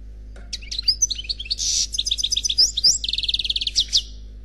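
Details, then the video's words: European goldfinch singing in the Khalwi style, an unpaired célibataire bird from a CD recording: high tinkling twitters, a short buzzy burst, then a fast rhythmic trill of repeated notes near the end, with a faint low hum behind. "Chant Chardonneret Khalwi Célebataire"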